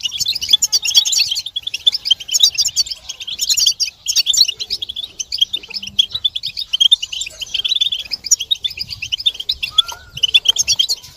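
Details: European goldfinches in a group twittering recording meant to stimulate males to sing and break their silence, with mating and readiness calls; dense, high, rapid chirps and trills overlap continuously with brief pauses.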